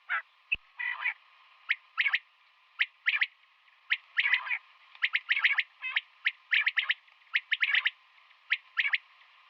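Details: Female common quail calling in the morning: short, sharp harmonic notes in quick clusters of two to four, repeated irregularly about once a second, with a steady faint hum underneath.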